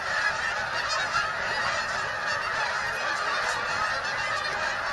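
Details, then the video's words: Arriving at Bombay Hook National Wildlife Refuge in Delaware, USA, a great flock of migrating geese gives an unbroken mass of overlapping honks, loud and even, a few sharper calls briefly standing out. "Migrating Geese, Bombay Hook National Wildlife Refuge"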